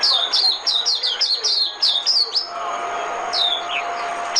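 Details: Oriental white-eye decoy song, a fast string of high, downward-sliding chirps running for about two seconds, then quieter, sparser twitters against a steady hiss.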